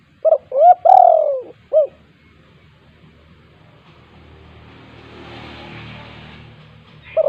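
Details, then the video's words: Spotted dove 'kuk 2' calling for luring reluctant doves: one phrase of clipped notes around a long descending coo, followed by several seconds of low rumbling noise and the start of another note. "tekukur GACOR KUK 2 untuk pancingan tekukur malas bunyi"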